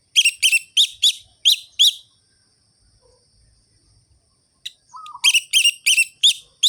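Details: Orange-headed thrush singing the rhythmic ngerol-ngeplong style as a lure for lazy birds of its kind: a series of sharp, evenly spaced ringing notes, a pause with a brief low slurred note, then the series resumes.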